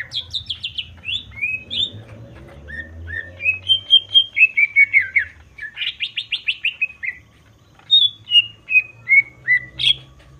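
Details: Greater green leafbird in captivity, singing a loud varied song to provoke rivals: descending whistled notes, buzzy trilled run, then evenly spaced falling whistles, over a low background hum.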